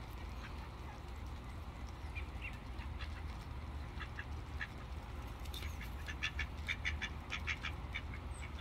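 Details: Ducks being fed: a few scattered quacks early on, then a rapid run of short, nasal quacking bursts crowding the last few seconds, over a constant low rumbling background.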